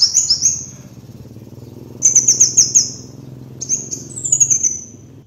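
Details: Van Hasselt's sunbird on a lure track: a piercing high phrase, a pause, then a rapid stuttering run of high notes and a final rising, thinning phrase, all over a faint steady hum.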